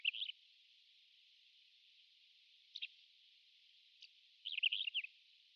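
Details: Pied wheatear in the wild, a rare passage migrant in Japan, giving short high chirps with long gaps, then a scratchy twittering phrase of rapid notes near the end.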